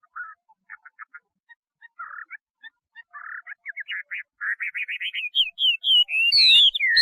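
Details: Chinese hwamei song opening with sparse, soft chips that speed up and grow louder into a rapid rising trill, ending in loud, clear, sweeping whistles.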